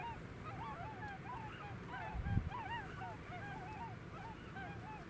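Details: A flock of tundra swans flying over the village of Brandwijk in the Alblasserwaard, Netherlands, giving many soft, crooning, bugle-like calls that overlap and rise and fall in quick succession, over a steady low rumble with a brief thump near the middle.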